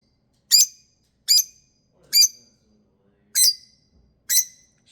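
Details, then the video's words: Female pet lovebird throwing a bedtime temper tantrum, her normal behaviour when she wants to go to bed: harsh, shrill, piercing screeches, six sharp bursts in five seconds at roughly one per second, with silence between. "Bedtime Love Bird Temper Tantrum"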